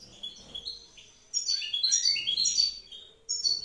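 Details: Wild goldfinch of a breeding pair, female on eggs, singing in the evening: faint high notes, then a lively two-second run of quick twittering and sliding whistled notes, followed by a short final burst.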